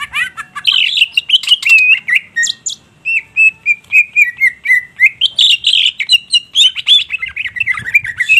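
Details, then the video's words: Energetic song of a greater green leafbird pouring out its song bursts, a dense, continuous run of rich whistles, trills and chattering notes, with a steady stretch of repeated slurred whistles in the middle before a busier, higher burst. "Cucak Ijo GACOR tembakan kluar semau"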